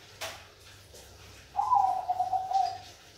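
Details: Zebra dove of the Bangkok perkutut type in full song. A sharp knock sounds early, then after a pause comes one mellow, tremulous cooing phrase that opens on a higher note and rolls lower for over a second. Soft hum in the background.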